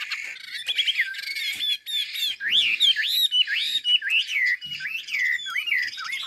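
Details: A hwamei from Hà Giang, Vietnam, pours out song: loud arched whistles repeated about twice a second, each swooping up then down, mixed with quicker chattering notes.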